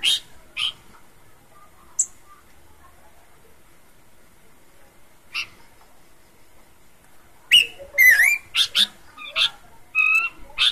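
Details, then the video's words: Lively bush babbler in full voice, with its characteristic song: scattered sharp single notes, then a rapid, varied burst of whistles, trills and downslurred notes over the last three seconds. "Burung pelanduk semak suara khas"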